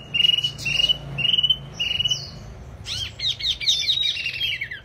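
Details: Wambi bird singing: four level whistled notes, each pulsing and evenly spaced, then a burst of fast, high twittering and scratchy warbles.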